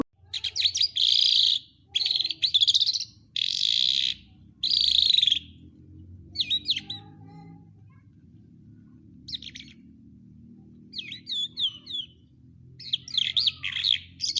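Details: Lark singing in Quetta: four loud, buzzy, rattling bursts about a second each, then quieter scattered chirps and short twittering phrases, over a steady low hum.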